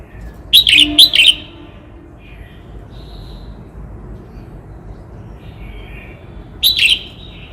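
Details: Red-whiskered bulbul from Cao Bang giving a quick run of three loud, liquid whistled notes, then a long pause with faint distant bird whistles, then another loud falling phrase.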